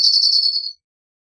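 A cirl bunting gives a fast, dry, high rattle on one pitch, lasting under a second and dipping slightly at the end.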